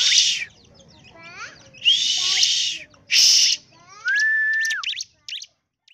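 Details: Energetic song of a ciblek, the bar-winged prinia: buzzy rasping bursts with short descending note ladders between them, then a clear, flat whistle that falls away, followed by a couple of faint chips.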